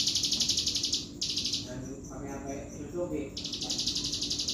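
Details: Energetic bar-winged prinia delivering fast, buzzy pulsed trills, high and steady, that stop for a moment while softer chirps and a murmur are heard, then resume, with sharp clicks between.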